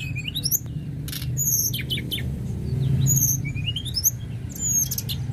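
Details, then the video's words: Lively tledekan gunung lark song used to encourage birds to sing, with rapid high chirps, quick upward-sweeping whistled runs and trills over a continuous low rumbling background. "Tledekan gunung gacor"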